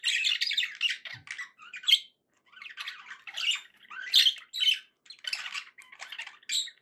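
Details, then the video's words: Happy pet budgerigars chattering indoors, a dense run of buzzy, scratchy warbles and squawks with short breaks, several birds overlapping. "happy budgie sounds"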